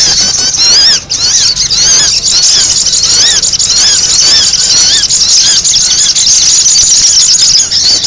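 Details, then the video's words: Sogon, a sunbird, in a busy calling recording used to lure birds: dense, high, squeaky chattering notes with rapid rising and falling slurs, about two per second, continuous throughout, with a faint low hum beneath. "SUARA SOGON RIBUT UNTUK PIKAT"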